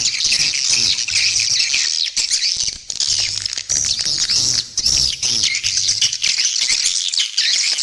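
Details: Swiftlet lure call meant to draw swiftlets and grow the population. Many high chirps and buzzy twitters overlap in a steady chorus, with brief dips and a faint low hum underneath.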